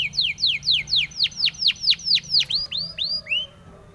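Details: Spanish timbrado canary training song. A steady series of sharp descending whistled sweeps, roughly four per second, slows into softer rising and falling slurs before the bird stops.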